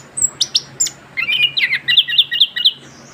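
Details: Orange-headed thrush, young and just past its moult, giving a few sharp separated chips then a quick run of repeated warbled notes about four per second, over a soft low hum.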